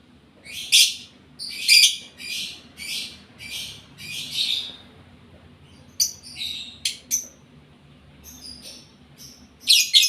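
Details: A lovebird in breeding condition repeats loud, harsh chirps about once a second, then shifts to looser, scattered sharp notes and squeaks.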